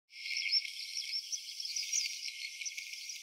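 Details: Eurasian skylark singing as it flutters down from the sky into a field, met during a walk: a continuous, fast, high-pitched warble of chirps and trills with no pauses. Low sounds are filtered out.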